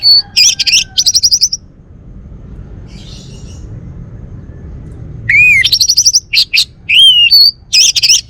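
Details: Home-kept male Bali orange-headed thrush pours out rapid, rattling trilled phrases and high squeaky notes, falls silent for several seconds, then resumes with sliding whistles, fast trills and sharp chirps.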